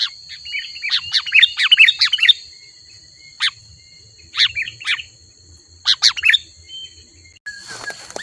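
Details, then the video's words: Sooty-headed bulbul in full, chattering song: an irregular series of bubbly chirped phrases separated by short pauses, with a soft low murmur in the background and a burst of crackling noise at the very end. "Suara Burung Kutilang Gacor Asli 100% Ampuh Untuk Memanggil Burung Kutilang Liar Auto Mendekat"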